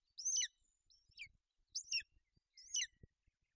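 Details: Golden eagle mother sheltering her chick on the nest in Bucovina during inclement weather, 28 May 2021. Four thin, high, downward-sweeping chirps, with softer notes between them and a few low knocks.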